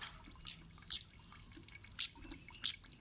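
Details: Sparse kemade call used to make other birds respond: a few thin, very high ticks and chips with long gaps between them, in a near-silent background.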